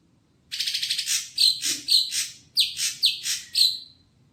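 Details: Greater green leafbird, a young bird just bought at a bird kiosk, singing rapid high chattering bursts followed by a run of clear whistled notes slurring downward, about two per second, with brief gaps; background otherwise quiet.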